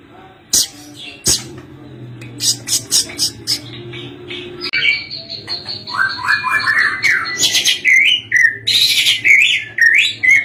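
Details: Captive White-rumped shama singing from a hanging cage: sharp clicks and ticks at first, then a fast run of rising notes stepping down, ending in bright high whistles and chatter, over a faint low hum.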